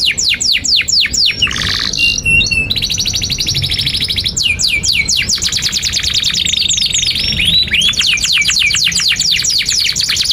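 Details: Canary singing long and vigorously, offered as a training recording for young canaries learning to sing. Quick downslurred whistles, flat tones, a long rapid trill and bursts of sweeping notes alternate throughout.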